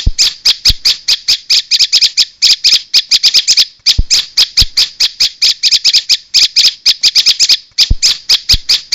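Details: Bar-winged prinia used as a lure to draw other prinias together: loud, harsh, buzzy chattering notes, high-pitched and rapidly repeated in bursts of several notes with brief pauses, continuing throughout with little background noise.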